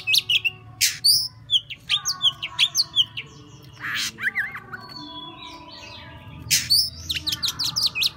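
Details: Oriental magpie-robin delivering "múa 13 kiếm" song: a varied stream of high whistles, chattering notes and rasps, with a softer warbling middle section before loud chips resume.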